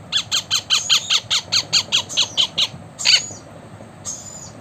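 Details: Indian ringneck parakeet, a blue pet parrot, giving a rapid series of about twelve harsh squawking notes at a steady pace, then a louder squawk and a thin high note, over a steady background hiss.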